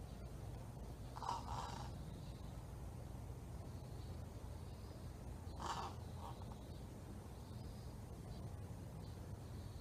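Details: Young crow practicing its calls: two brief rough, hoarse caw-like bursts separated by several seconds of quiet, with steady low rumble and faint high hiss in the background.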